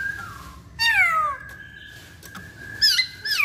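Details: Masked laughingthrush calling: a thin level whistle, then a loud, harsh, steeply descending note. After a pause of sustained whistling comes another burst of strained, sliding notes at the end.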